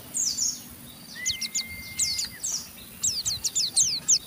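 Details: Pleci, Oriental white-eye, in rough 'ngeriwik' chatter intended to stimulate other white-eyes: faint, scattered high downslurred chips over steady background hiss, with a thin sustained whistle in between.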